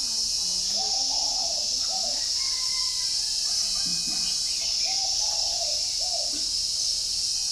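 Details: Spotted doves kept at a bird farm in Ba Vì, Hanoi, northern Vietnam, cooing in the morning: low, soft hooting coos in short groups of two or three, with a constant high insect-like hiss behind and faint chirps.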